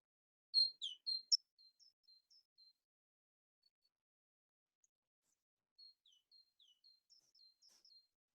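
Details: Great tit song, heard from late January and February: simple high, thin two-note phrases repeated in quick series like 'teacher, teacher', with a pause between bursts.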